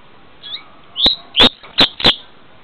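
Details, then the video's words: Double-collared seedeater (coleiro filé) recorded in Niterói, Rio de Janeiro, with poor camera audio: a faint, high slurred note, then four sharp, loud, high chips spaced about a third of a second apart. "Coleiro Filé"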